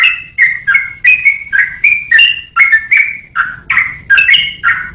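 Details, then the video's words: Yellow-vented bulbul giving a cheerful, gurgling phrase of warbled whistles, rising and falling unevenly at a brisk pace, recorded as training material for songbirds. "KICAU BURUNG TRUCUKAN BUAT MASTERAN"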